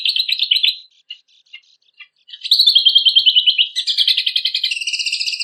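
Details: Kecial kombok recorded as tutor material for contest songbirds: a short rapid chatter, a pause with a few isolated chips, then continuous fast buzzy trills that shift pitch midway.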